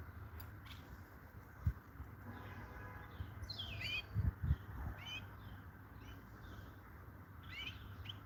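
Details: European goldfinch singing in short bursts of quick, sliding twittered notes, with gaps between phrases, a few dull thumps and a steady low rumble underneath.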